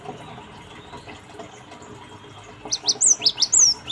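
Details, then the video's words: Cinereous tit lure song used to draw birds into answering: after faint background hiss, loud high whistled two-note phrases begin near the end, sliding down then up, repeated rapidly about three times per second. "Pancingan Gelatik Batu Bahan Ombyokan 100% Nyaut Ampuh"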